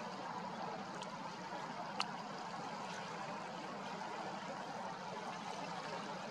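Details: Steady trickling and gurgling of a stream fills the recording, with one sharp faint click near the middle and no animal voices.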